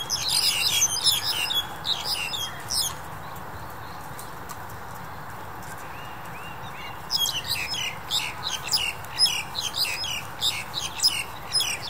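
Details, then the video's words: Black-collared Starling in January 2021 giving bursts of rapid, harsh, squeaky chatter for about three seconds, then a quiet stretch of soft background noise, before the scratchy chattering resumes and continues to the end. "黑領椋鳥 Black-collared Starling"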